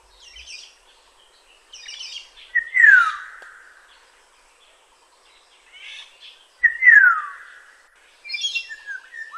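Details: Black-naped oriole in Kaohsiung, Taiwan, 9 May 2016, giving a loud liquid whistle that slides steeply downward, repeated twice about four seconds apart, each preceded by soft scratchy notes, with further short whistles at the end.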